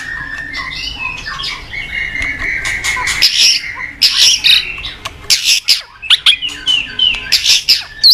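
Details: White-rumped shama morning song, used as a lure for training cage birds: a dense, busy mix of squeaky whistles, harsh rasping notes and sharp chips that grows louder and more broken toward the end.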